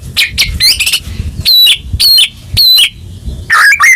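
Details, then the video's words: White-rumped shama sounds meant to spark singing in a caged bird after stress or moulting. Harsh buzzy notes and high ringing whistles are repeated about every half second, then a short low warble closes. "Pancingan Murai Batu Macet Bunyi Langsung Gacor Dor"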